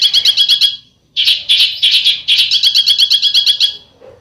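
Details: Besetan song from a bird: quick high trill, a brief silence, then three rough, buzzy bursts flowing into another long, rapid trill of sharp repeated notes.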